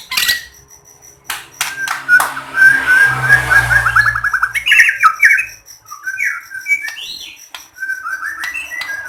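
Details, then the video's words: Lahat white-rumped shama song used to coax silent shamas into singing: a sweet opening whistle, then a long buzzy rolling trill and scattered slurred whistled notes, punctuated by sharp clicks. "Masteran Burung Murai GACOR BIKIN Burung lain akan terpancing ikut BERKICAU"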